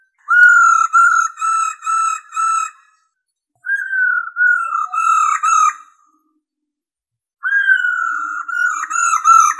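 A female laughingthrush gives three runs of four to five clear, slightly nasal whistled notes. Each run starts on a higher note and then levels off. No other sounds.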